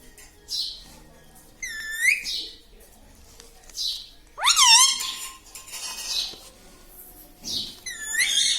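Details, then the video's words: Domestic talking parrot giving scattered calls: a curving whistled note, a sharp rising squawk that levels into a steady tone, and a final bent note, with soft breathy sounds between. "Papa Mummy Bolne Wala Tota - Talking Parrot - Me Tota Me Tota"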